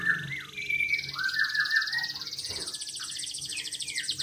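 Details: Local canary singing vigorously: high rolling trills mixed with clear whistled notes, shifting to a long buzzy trill held through the second half.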